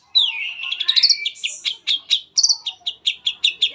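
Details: Long-tailed shrike singing a lure song to prompt others to sing: a sliding whistled opening, then a tumbling chattering run that settles into evenly spaced sharp chips, roughly four per second.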